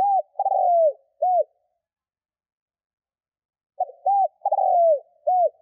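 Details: A captive Spotted dove used as a decoy to call wild doves coos low and hollow: a short coo, a longer rolling croo and a clipped final note, given twice in six seconds.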